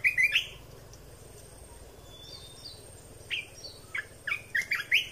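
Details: Red-whiskered bulbul song for teaching young birds and stirring birds up: a lively whistled phrase at the start, a quiet gap with a thin high whistle, then a run of short chirpy notes to the end, low hum beneath.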